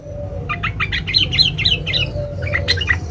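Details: Female sooty-headed bulbul calls to a male with a string of quick squeaky chirps, several per second, slightly uneven, ending in a few higher notes, over low steady hum.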